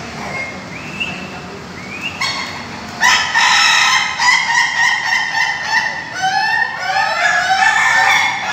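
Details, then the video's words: Ayam Ketawa cockerels, caged at a Bogor, Indonesia practice gathering, break after a quiet start into loud, evenly pulsed crowing: many short, harmonic, laugh-like notes about three per second. Other roosters answer with downward-sliding crows. "latber ayam ketawa PAKEB-BOGOR"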